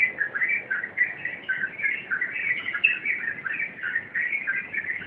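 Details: Yellow-vented bulbul in rompelan song, delivering an unbroken, busy babble of clear whistled chirps and slurred warbles at a steady mid-high pitch.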